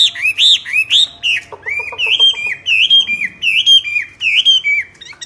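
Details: Myna singing loudly: strong whistled notes that rise and fall, repeated about twice a second, broken briefly by a quick burst of lower rapid clicking notes.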